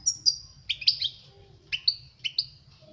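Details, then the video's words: European goldfinch song used as a tutor for young birds: a few spaced phrases of high whistled notes with downward-bending slurs, sparse and fairly quiet. "Chant chardonneret pour les jeuns لتعليم صغار طائر الحسون"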